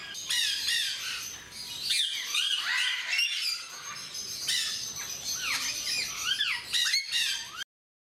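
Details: Timneh grey parrots, described as skilled mimics, at Mysore Zoo. Looping, swooping whistles and bent upslurred notes mix with harsh squawks in a steady, busy chatter. The sound ends abruptly near the close.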